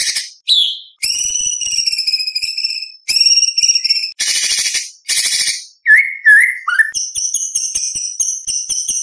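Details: White-rumped shama contest repertoire for spotted young birds: long steady high whistled notes, harsh buzzy bursts, short falling whistles, and a final rapid stuttering series of high notes.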